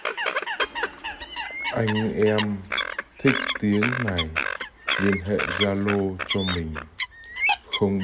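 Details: A Eurasian coot gives loud, nasal, harmonic honks and squealing notes in rapid bursts, with thin high whistles from other birds overlaid. This is a competitive lure call used by trappers and tested on birds in northern Vietnam.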